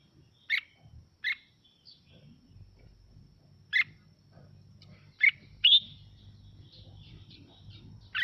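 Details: Red-whiskered bulbul, Mào Mộc type, singing to excite other birds into singing: sharp, well-spaced chirps and a brief whistled slur, with quiet low hum underneath.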